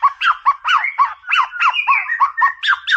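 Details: White-rumped shama singing 'Boomerang' material to stir up a rival: a fast run of harsh, churring notes repeated about five times a second, with mid-pitched buzzy slurs blending together.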